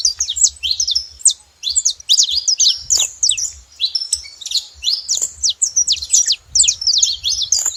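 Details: Saffron finch making noise at a feeder in Brazil, pouring out high, sharp chirps and zigzag whistles in dense bursts separated by short silences.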